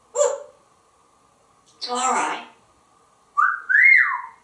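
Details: Talkative pet African grey parrot in a Texas home: a clipped word, a longer raspy speech-like phrase, then a clear two-note whistle sliding up and down, over a faint continuous hum.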